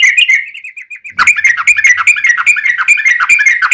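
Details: Yellow-vented bulbul, lure recording meant to prompt captive birds to answer: a short whistled phrase, a pause, then a lively, rapid stream of chattering, bubbly notes and whistles without break.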